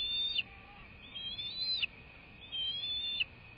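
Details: Bald eagle at its nest, filmed by a live nest camera at 08:45 on 21 March 2024. Three high, arched whistled phrases, each rising and then dropping sharply at the end, about one every second. There is a faint steady hiss.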